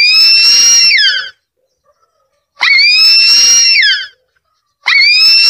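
Harpy eagle giving loud, high, drawn-out wailing screams, each over a second long, level then dipping at the end, repeated about every two seconds.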